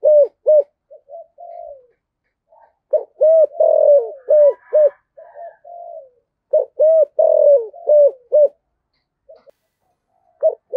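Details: Spotted dove, the Vietnamese 'cu gáy giọng thổ sấm' voice type, repeating several phrases of deep, mellow cooing: short punchy notes and a longer drawn-out falling coo, with soft lower coos between phrases and a clean, quiet background.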